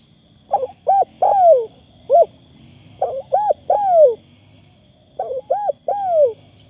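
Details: Spotted dove used as a decoy bird, calling: clear phrases of mellow, hooting coos, two short notes and then a longer falling coo, repeated about every two seconds against a faint steady high hiss.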